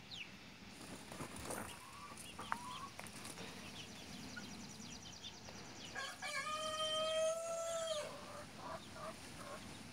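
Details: Young rooster crowing: soft clucks and scattered knocks at first, then a drawn-out two-second crow with a steady, slightly nasal tone and a faint trailing end, over a low background hum.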